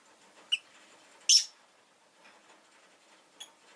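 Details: Pet rosy-faced lovebird giving a brief squeak, then a loud, harsh, drawn-out screech, and a final thin chirp after a pause, in a quiet room.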